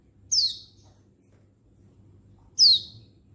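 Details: Mature female Oriental white-eye (pleci) calling for males, 19/11/22: two single sharp, very high downslurred chirps about two seconds apart, with a soft low hum in between.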